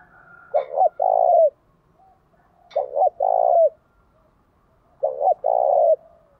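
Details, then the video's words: Spotted dove singing to provoke other doves into fighting. Three coo phrases arrive about every two seconds. Each has a quick double note followed by a long, level, mellow coo that ends with a slight downward bend. "Chim cu gáy thúc đấu giọng hay"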